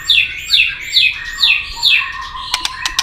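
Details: White-rumped shama in fighting song to provoke a rival: five bright descending whistled notes repeated about every half second, followed by sharp tail-click pops near the end.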